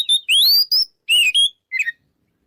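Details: Oriental magpie-robin lure song in 'ngeplong' style to make rivals fight: a few loud rising whistled sweeps, then a softer short chattering note at the end.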